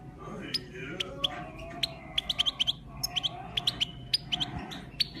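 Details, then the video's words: Goldfinch in full training song: a quick run of bright, tinkling chirps and twitters, several each second, over a low room hum. "gold finch full training singing"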